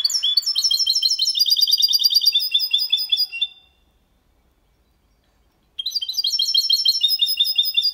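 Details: Caged goldfinch × canary hybrid singing a clean, error-free song meant to stimulate females and teach young goldfinches and hybrids; rapid bright twittering and trills, a strongly harmonic phrase run for about three and a half seconds, a two-second pause, then the twittering resumes.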